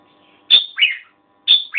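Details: Red-whiskered bulbul repeating a two-note phrase twice, a sharp high whistle followed by a lower slurred note, about a second apart.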